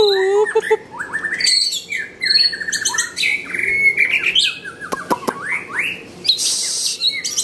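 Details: Varied white-rumped shama song, continuous and full: a low whistled opening, then fast high trills, sliding whistles and buzzy notes in changing phrases, with a few sharp clicks and a quiet hum behind.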